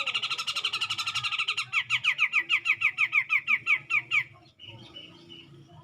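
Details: Fast buzzy rattle from a grey-cheeked bulbul provoking a rival, shifting into a run of clipped, downslurred notes, roughly five per second, ending after four seconds with faint background chirps.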